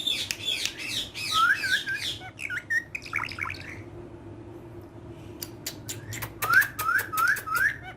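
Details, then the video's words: Green parrot that talks in Urdu, playing with a hand; bursts of chattering chirps and short upswept whistled notes, a quiet pause, then a row of four quick rising whistles with clicks. "Urdu Bolne Wala Tota || Green Talking Parrot"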